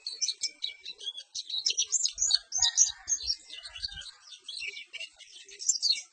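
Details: Perci bird pouring out a continuous high, scratchy twittering song of fast chirps, with faint soft thumps in the background.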